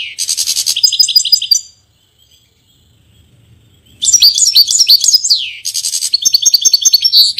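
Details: Rapid tinkling and buzzy goldfinch song from a Portuguese bird, a first phrase, a two-second silence, then a longer burst with a swooping descending note and fast repeated chips.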